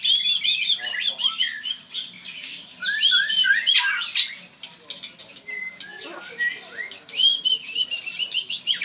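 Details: Binla bird delivering a busy, varied run of high chirps, trills and slurred whistles, with brief pauses and a faint low murmur underneath.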